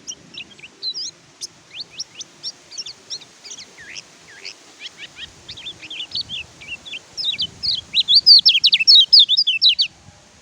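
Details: Oriental white-eye, kecial kuning or pleci, in a tutor recording for birds that stopped singing after molt or capture: steady high thin chirps rising to a loud rapid twittering climax, then fading.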